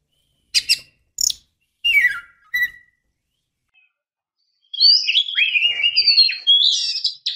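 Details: A female Oriental magpie-robin calls to draw a male: four quick, harsh, descending chirps, a pause, then a continuous warbled phrase of rapidly varied whistled notes lasting about three seconds.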